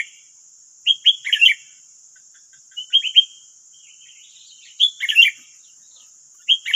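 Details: Nine wild sooty-headed bulbuls countering one decoy bird in West Lampung, Indonesia: short liquid whistled phrases of three to five notes repeated about every two seconds, with a constant high-pitched hum in the background.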